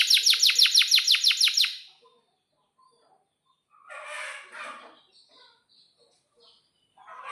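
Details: Canary song burst: about a dozen loud, sharp, downward-slurred notes repeated quickly over two seconds, then near silence with a faint, soft, rustling sound and a few quiet chirps.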